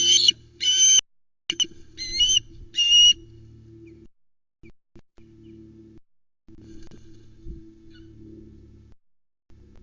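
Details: Female Osprey calling at the Loch Arkaig nest on 31 August 2020 while the male delivers a whole mackerel. Four bursts of high, ringing, repeated notes are followed by a steady low hum and faint knocks.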